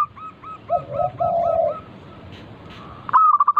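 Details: Zebra dove, a local Indonesian bird singing actively as a lure for other doves: a string of evenly spaced hooked coo notes with lower drawn-out coos beneath, then a sudden loud stuttered burst.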